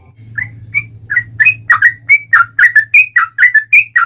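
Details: Yellow-vented bulbul song used to provoke other bulbuls into singing: bubbly, liquid whistled notes, starting sparse and soft, then quickening into a loud, rolling series of paired warbles, with a faint low hum behind.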